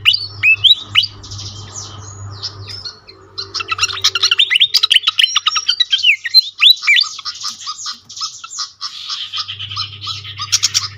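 Pied fantail giving a fast, jumbled run of squeaky, high chirps and short whistled slurs, several notes each second. A low electrical hum runs underneath at the start and end.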